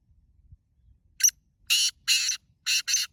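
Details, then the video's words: Black francolin calling in an open field near a village: a short harsh note followed by a rhythmic series of loud, grating, buzzy bursts, two long then two short, with a quiet background. "کالے تیتر کی کھیت میں گونجتی صدا"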